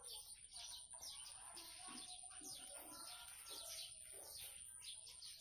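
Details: Lively blue-crowned hanging parrot song, a busy stream of sharp, high squeaky chirps packed closely together, with a constant thin whine running underneath throughout.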